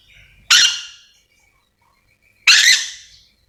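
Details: Calling yellow-and-green lorikeet from Sulawesi gives two piercing, raspy screeches two seconds apart, each fading quickly, in otherwise quiet surroundings.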